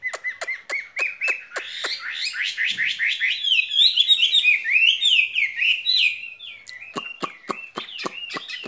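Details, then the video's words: Caged skylark in spring love song: a series of regular sharp clicks, then a long, fast, rolling warble of rising and falling trills, ending again with spaced clicking taps. "Chim quý ở lồng son ca bản tình ca mùa xuân"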